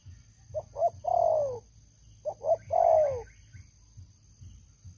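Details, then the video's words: Old decoy spotted dove, strong-voiced, used in trapping wild doves. Two phrases, each of two quick clipped notes followed by one long, throaty, falling coo, about two seconds apart. "Terkukur Pikat Lama, Selalu ok Suara besar"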